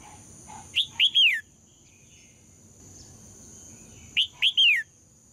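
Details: Female red-whiskered bulbul singing to provoke males: two clear phrases of three whistled notes each, the last note a long downward slur, about three seconds apart, over a faint constant high tone.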